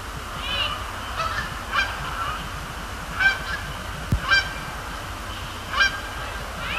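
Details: Canada geese on a Thursday night at Sapsucker Woods Pond, Cornell Lab of Ornithology, flying over and splashing down; scattered harmonic honks spaced a second or so apart, with a steady low rumble underneath.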